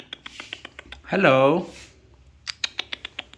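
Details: Alexandrine parakeet talking: a run of light, dry taps, then one drawn-out, nasal, word-like syllable lasting about half a second, then more taps.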